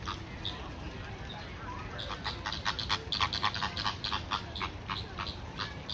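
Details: Chilean flamingos at Calgary Zoo in May 2023, a flock giving short, nasal, goose-like honks that overlap in a rapid, uneven chatter over a low background rumble.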